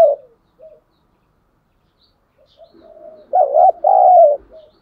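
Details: Caged decoy spotted dove luring opponents with thổ sấm style calling: faint short notes and a low murmur lead into a strong two-part coo, a dipping note then a sustained falling hoot.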